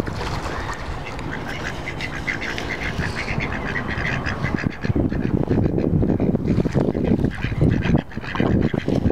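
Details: Mottled Duck x Mallard hybrids at Walter Fuller Park give nasal quacking calls over a heavy, rumbling background noise that grows louder midway.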